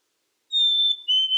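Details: Black-capped chickadee singing one clear whistled two-note phrase, a long steady high note followed by a slightly lower held note, after half a second of silence.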